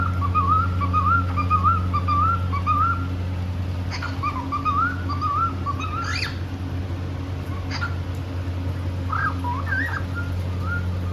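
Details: Playful, happy cockatiel singing indoors: a string of looping, undulating whistles in quick succession, broken by sharp clicks and a few higher upward-sweeping notes near the end, over a constant low hum.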